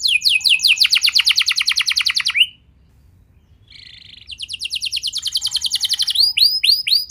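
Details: A canary sings to encourage young canaries to start singing, with a dense rapid trill, then a second-long silence, a buzzy phrase, and another fast rattling run ending in clear rising-falling whistles.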